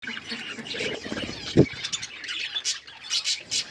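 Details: Budgerigars eating green food, giving short warbled chirps and squawky notes with a soft thump in the middle.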